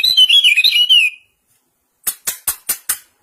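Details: Common iora, pleci type matched against serkel type in a singing contest: a quick run of bright, warbling whistled notes, then a pause and five sharp, evenly spaced clicks.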